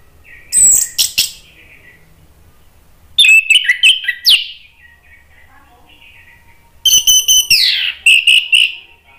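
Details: An Orange-headed thrush sings, a recording meant to provoke rival birds into answering, in three loud bursts of rich, varied whistles and harsh notes, each ending in a sweeping downslurred phrase, with quiet pauses between.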